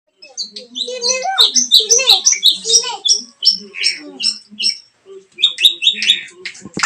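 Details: Long-tailed shrike song used as a lure to provoke a silent bird into singing: a busy medley of sharp chirps, rasping notes and varied whistles, mostly high-pitched, in fast uneven bursts.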